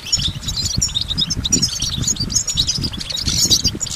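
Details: Short stretch of lively goldfinch song: dense, fast tinkling chirps and buzzy trills in an unbroken stream, with soft low thumps beneath.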